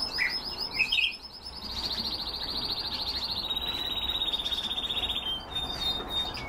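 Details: Canaries kept for breeding; a couple of short chirps open into a long, rapid rolling trill held at a steady high pitch for about four seconds, easing slightly lower, followed by a brief thin high whistle.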